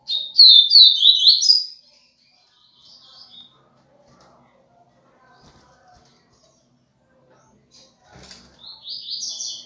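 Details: Double-collared seedeater giving a viviti-style song: a loud burst of rapid slurred whistled notes lasting under two seconds, a long quiet gap with faint sounds, then another high phrase starting near the end.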